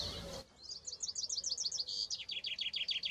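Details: Eurasian coot with young at a natural pool near Hilvarenbeek, Netherlands: a quick run of thin, very high peeping notes, three or four a second, dropping slightly in pitch later, after a brief opening rush of noise.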